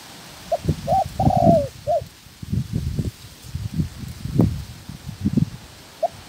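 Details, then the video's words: Trap-training spotted dove decoy alongside a second newly caught female. A single coo phrase of short notes and a drawn-out falling roll is followed by dull knocks and thumps, then one last brief coo. "Chim Cu Gáy (trap bird) Tập mồi. Bổi mái thứ hai của mồi tập."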